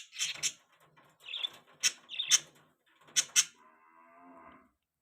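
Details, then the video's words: Pet budgerigar giving sharp high chirps in uneven clusters, about one each second, with softer warbled notes between them and a flat, buzzy tone at the close. "budgie sounds"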